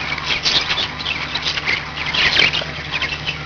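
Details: Pet budgerigars warbling rapidly, with squeaky rising and falling notes and a louder scratchy burst near two and a half seconds, over a steady low hum.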